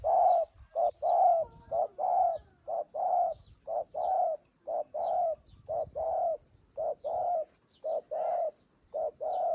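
A spotted dove sings a soft, mellow series of low coos, short hooted notes about twice a second in loose phrases, with faint rustling in the background.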